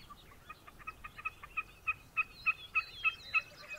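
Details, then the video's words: Wilson's snipe calling: a steady series of short, clipped two-tone notes, about three per second, growing louder toward the end, with faint high chirps from other birds behind. "Wilson's snipe calling."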